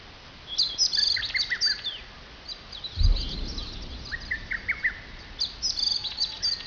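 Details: Mixed birds singing in the foothill woods of Mount Fuji near Fujiyoshida, Japan: bursts of high, fast twittering phrases with lower chirps, a pause, then another singer; a brief low thump midway.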